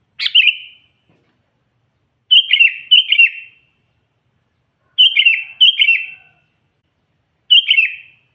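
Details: Sooty-headed bulbul singing to call wild rivals and make them agitated, natural recording. Short bubbly chirped phrases, often paired in quick doubles, each with a slurred falling end, repeated every two to three seconds with silence between.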